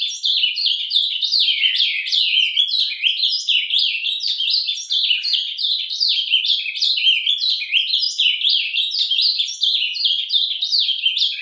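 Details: A kept ultramarine grosbeak (azulão) sings a soft, rambling quiet song: an unbroken stream of high, scratchy twitters and slurred chirps, with no clear pauses or other sounds.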